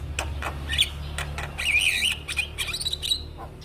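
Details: Black-winged starling singing in a training recording for cage birds, with thin clicks, then a warbled whistled phrase wavering up and down, and high twittering notes toward the end over a low steady hum.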